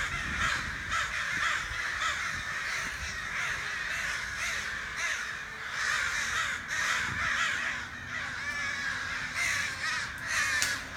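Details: Crows outside a back door call almost nonstop, with rough caws overlapping in a dense, ragged chorus throughout, suggesting more than one bird.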